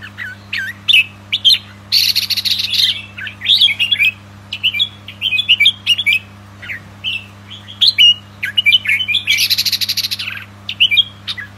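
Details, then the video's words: Young albino red-whiskered bulbuls, kept for breeding pairs, give dense bursts of bright, sharp chirps and short warbled phrases, some slurred up and down, separated by brief pauses over a steady low electrical hum. "Chào Mào Bạch Tạng Non"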